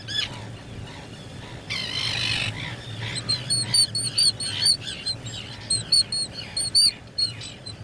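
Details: Black guillemot at its nest burrow on a live nature camera, a seabird that comes ashore once a year to breed; thin, high whistled peeps follow a short hissing burst, coming in quick uneven runs of about two notes per second.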